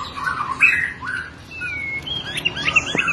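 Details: Caged white-rumped shama giving an energetic fighting song used for training other caged birds: clear whistled notes around mid pitch, a long level whistle, then a burst of high rapid chirps and slurred phrases.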